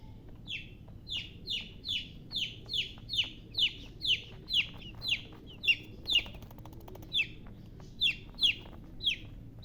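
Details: Domestic chicken chicks peeping steadily, a rapid run of around twenty sharp, descending chirps in under ten seconds, slightly uneven in spacing, against a quiet background.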